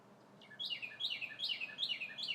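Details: On a bright spring day a red bird sings from the trees, giving a rapid series of about five loud, down-slurred whistles, each a sharp high note dropping lower, in an even rhythm.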